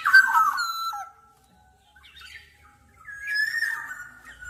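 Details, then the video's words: Black-naped oriole giving two bold, fluty whistled phrases, each a sustained wavering note with a downward flick, separated by a softer, scratchy interlude. "Tiếng chim Vàng anh Gáy đen/ VA Trung Quốc ✅Black-naped Oriole(Oriolus chinensis) ✅นกขมิ้นท้ายทอยดำ"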